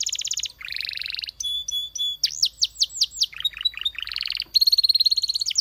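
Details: Canary singing a varied song: a fast high buzzy trill, a lower rolling trill, thin pure whistled notes, then loud looping down-swept whistles and more rapid trills, each phrase changing every half second or so.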